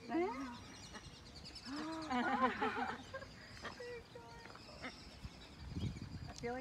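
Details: Orinoco goose, a mother with newborn goslings at the National Aviary of Colombia, giving arched, nasal honking calls in short bursts with a few higher thin notes between; a person talks in the background.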